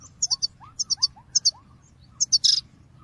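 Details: European goldfinch call-song recorded in 2022 to encourage other birds: rhythmic groups of three bright twittering notes alternating with rising whistled slurs, ending in a buzzy, rasping note.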